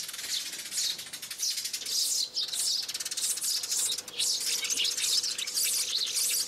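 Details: Sparrow lure calls recorded for speaker playback in January 2021 to draw sparrows in and down to traps; dense, overlapping high chirps and twitters pour out continuously, with a faint steady hum beneath.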